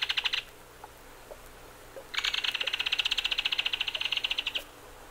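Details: Belted Kingfisher rattling: a brief burst of harsh clicks, then after a pause a long, dry, rapid rattle of evenly spaced notes lasting over two seconds, quiet background.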